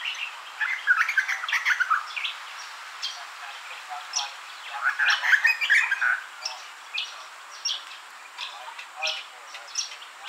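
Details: Juvenile Grey Butcherbird that has taken a garden as part of its territory, drinking at a fountain and answering other territorial calls: two rich bursts of varied, melodious piping notes, with softer scattered notes between and faint background chirps.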